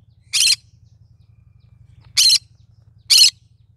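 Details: Three loud, raspy squawks from a cinnamon green-cheeked conure, the first alone and the last two about a second apart, over a low steady hum.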